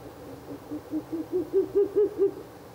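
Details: Ural owl at a nest box after dark, 16 April 2024: one rapid series of about nine hollow hoots that begin soft and low and grow louder and a little higher toward the end.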